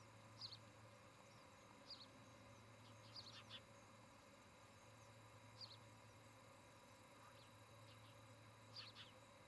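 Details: Osprey pair at their nest near Charlo, Montana, picked up by a nest camera on 17 August 2018, early evening; sharp, high whistled chirps come singly and in quick pairs at uneven gaps over a steady low electrical hum.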